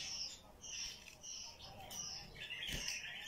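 A bulbul gives bubbly, chattering phrases of bright, slurred notes in quick succession, with a faint murmur of background noise.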